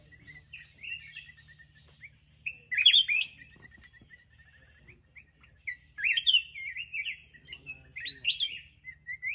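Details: Black-crested bulbul singing in bursts of bright, warbled, bubbling phrases that alternate with softer strings of quick repeated chips. The phrases rise and fall at middle-high pitch, with brief quiet gaps between them.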